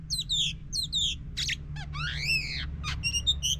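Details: Oriental magpie-robin song meant to stir a silent bird, with sweeping whistles, a loud rising-falling slur and sharp buzzy notes over audible background noise.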